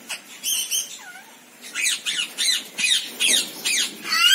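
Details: Rainbow lorikeet giving harsh, grating squawks, repeated about every third of a second in a steady run, after a few higher squeaky notes and a short downslurred whistle.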